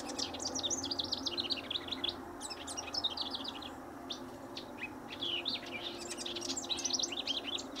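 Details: Near a riparian area at Linscomb W.A., a house wren delivers repeated bursts of fast, gurgling, high-pitched chatter, each lasting one to two seconds with short pauses between, while a White-eyed Vireo calls in the background.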